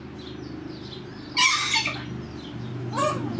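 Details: Male cockatiel, called a corella, babbling quietly to himself while he thinks no one is watching; two short harsh, buzzy harmonic bursts a second and a half apart over a steady low indoor hum.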